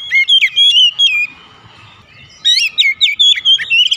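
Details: Oriental magpie-robin kept at home, its song played as a lure so other birds sing: rapid bright whistled notes with sharp upward and downward slurs, a brief gap of faint chatter, then another energetic phrase.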